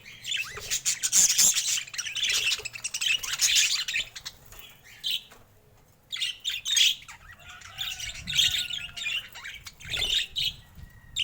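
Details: Group of colorful budgerigars of rare mutations, young ones among them, in calm captivity: continuous raspy, warbled chattering in long waves, dipping to near quiet midway before resuming with scattered whistled chirps.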